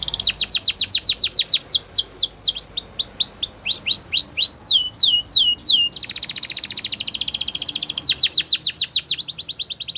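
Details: Belgian canary hen in morning song, delivering fast rolling tours of high downslurred and upslurred notes, several per second, shifting to a dense buzzy trill around the sixth second before resuming clear repeated sweeps.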